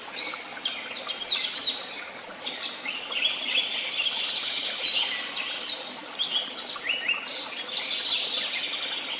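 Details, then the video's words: Woodland birds at Tehidy Woobs singing together, a steady mix of high chirping, quick trills and short rising whistles, dense and unbroken throughout. "Sounds of beautiful birds and the tweet of birds"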